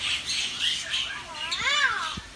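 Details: Caged common hill myna on a single perch in a Sanur residential area, Bali, July 2019, with a Bali myna behind it; squawky, speech-like syllables followed by a rising-then-falling arched whistle.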